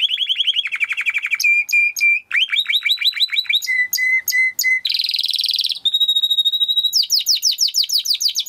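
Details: Timbrado canary training song, a continuous chain of fast rolling trills and repeated chirped notes, each tour changing pitch and rhythm every second or so, clean with no other sounds.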